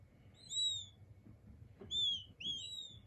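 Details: Several king quail chicks give high, thin whistled peeps, each an arched note about half a second long, in small bursts with short pauses; soft low background hum.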